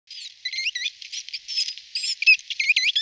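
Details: Great tit settling into a nest box gives a fast, jumbled run of high, squeaky chirps and twitters packed closely together with no pause.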